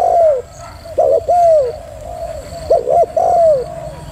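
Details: Spotted dove, female, cooing: a long falling coo, then clipped doubled notes and another descending coo, softer murmurs between phrases, repeated twice, over quiet hiss.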